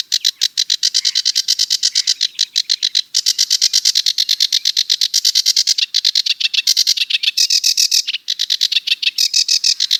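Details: Sedge warbler delivering a continuous, rapid stream of harsh, grating chatter and rattling trills with almost no gaps, dense and scratchy throughout.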